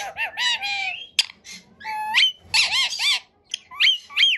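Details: A talking rose-ringed (ringneck) parakeet says 'I love you baby' and 'Coco cocoa' in short, high, nasal phrases that mimic human speech, broken by brief pauses and a few sharp whistled notes.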